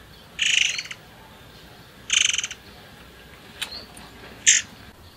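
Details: Two short grating, pulsed bursts from a murai air forktail, a lure recording to make other birds sing, followed by a couple of brief sharp high notes and clicks.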